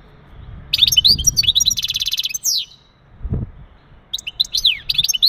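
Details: Male European goldfinch mating song used to ready a female for breeding: a burst of tinkling high twitters leading into a rapid buzzy trill, a pause with a low thud, then more liquid chirps.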